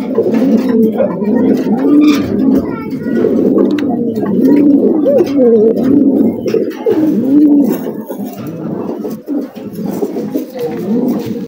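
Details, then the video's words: Farm pigeons with eggs coo continuously in low, throaty, overlapping rolls, several birds murmuring at once in a small enclosed space. "pigeon sound"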